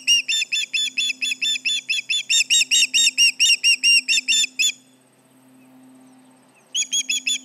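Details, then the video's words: Alarm calls of an osprey at the Charlo nest as intruders approach, summer 2019, 11:30 in the morning: sharp repeated whistled yelps in a fast series, a two-second pause, then the piercing notes resume; faint background hum. "Intruders around, 7/29/19 - Charlo osprey nest"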